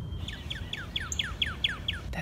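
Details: A male Northern Cardinal sings his spring song from the very top of a tree to attract females: a fast series of eight clear, down-slurred whistles, about four per second, over a low rumble of distant traffic.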